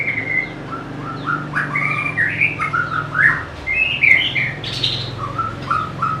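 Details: White-rumped shama, a songbird that can copy other birds' calls, pouring out a varied song of whistles, rising and falling slurs and brief chattering bursts, with a low hum underneath.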